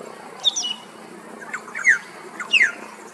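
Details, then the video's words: Loud afternoon song of a male Australasian figbird, Queensland, Australia: three quick phrases of sharp descending whistled notes, about one per second, each preceded by softer chirps, over light background hiss. "Australian Figbird Singing Enjoying a Beautiful Afternoon Siesta"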